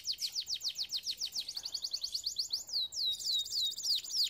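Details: Canary singing a training song: a quick run of downslurred whistled notes, a faster chattering trill, then slower, fuller swooping whistles.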